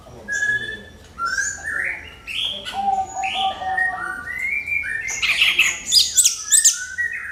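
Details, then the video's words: Lure song of an orange-headed thrush, meant to make other birds sing, with a continuous run of varied rising and falling whistled notes growing louder and denser toward the end. "SUARA MENGKRISTAL ANIS KEMBANG PANCINGAN TIADA LAWAN"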